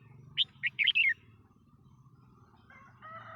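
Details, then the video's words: Red-whiskered bulbul giving a quick phrase of five bright, whistled, up-and-down notes in under a second, followed by quiet with a faint low hum and a soft steady tone near the end. "chào mào trên bản hot"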